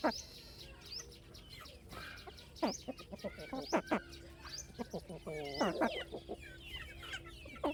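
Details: A crowd of baby chicks on a farm, with dense, rapid high chirps bending up and down, a brief lower harmonic squawk partway through, and occasional clicks.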